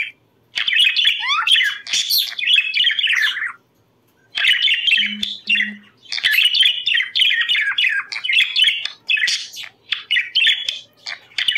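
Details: Captive budgerigars chattering, a recording meant to bring birds into breeding condition: long runs of rapid squeaky warbling and trilled notes, broken by brief silences around one and four seconds.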